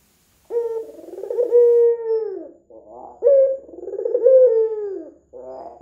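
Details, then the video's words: Eagerly calling red-eyed white dove kept as a lure for other doves: deep rolling coos with a drawn-out level note sinking at the close, repeated roughly every three seconds, with short soft murmurs between phrases. "PANCINGAN PUTER PUTIH MATA MERAH GACOR"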